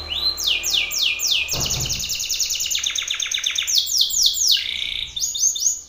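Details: Belgian canary male singing loudly and aggressively at a rival male, challenging an opponent: fast rolling trills of sweeping high notes repeated several times a second, shifting between phrases, with a brief low thump midway.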